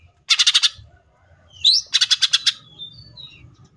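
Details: Greater green leafbird (cucak ijo) singing in full tembakan style, rapid harsh notes: a burst of five buzzy chattering notes, one sharp upslurred note, then six more rapid notes, ending with thin high whistles over faint low background rumble.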